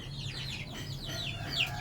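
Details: Aseel chicken: a run of thin, high-pitched peeps, each sliding downward, overlapping one another at a quick pace over a steady low mechanical hum.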